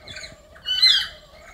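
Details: A lory among noisily calling nuri at a bird quarantine and care site near Sorong, Papua, gives a harsh, grating squawk that swells loud for half a second, with softer raspy calls before and after it.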